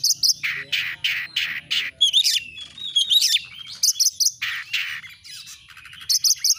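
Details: Oriental magpie-robin song from a clear recording used to rouse birds into display: loud harsh buzzy bursts alternate with tinkling high notes and a fluid, warbled whistled passage, in choppy repeated phrases.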